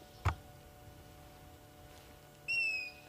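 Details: African grey hornbill (Lophoceros nasutus) on a June 8 sunset safari gives a single clear, high whistled note that falls slightly at the end, after a soft knock, over a quiet background hum.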